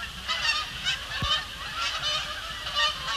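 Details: Canada Geese arriving at dusk over Sapsucker Woods Pond, Cornell Lab of Ornithology, 12 October 2017, sky heavily clouded; bursts of nasal, two-note honks come in uneven pulses, several birds calling at once, one dull thump midway.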